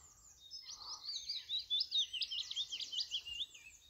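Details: A willow warbler sings quietly from a tree right overhead by a loch in Scotland: soft, sweet, high twittering snippets trickling downward in short runs, with faint low background rumble.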